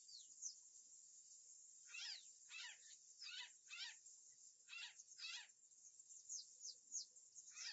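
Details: Harsh, raspy calls of an Azure Jay, captured by a live camera in early afternoon on 11 July 2013, about nine grating notes, some paired, scattered through the clip with faint high-pitched chirps between them.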